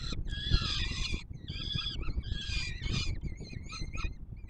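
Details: Peregrine falcon chicks begging during feeding at their nest on Warsaw's Palace of Culture and Science, Poland, 7 July 2022: long, raspy, wavering screams about a second each, followed by shorter broken cries, with a low background rumble.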